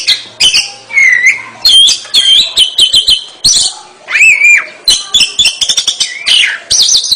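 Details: Energetic Oriental magpie-robin song, a fast medley of sweet whistles, rising and falling slurs and rapid staccato chips, delivered in short bursts with brief gaps, clean and close.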